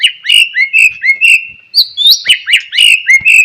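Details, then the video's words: White-rumped shama in morning song, used to prompt other shamas into singing: loud, clear whistled phrases sliding and rising, notes repeated in quick varied sequences with sharp accents and no other sounds. "KICAUAN GACOR DIPAGI HARI,,//. MERANGSANG BUNYI GACOR DAN FIGHTER"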